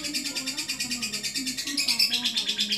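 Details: Adult lovebird giving a long ngekek: a continuous, rapid, rasping high trill, evenly pulsed and unbroken for the whole clip, growing slightly louder near the end, with faint low tones underneath.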